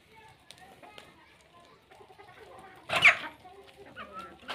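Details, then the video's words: Chickens on their morning daily routine, kept with ducks and guinea fowls; one loud, harsh, broadband squawk near the end rises over a quiet yard with scattered soft clucks and chirps. "Land fowls Daily Routine in the Morning with Relaxing Natural Sounds | Rooster Hen Chickens"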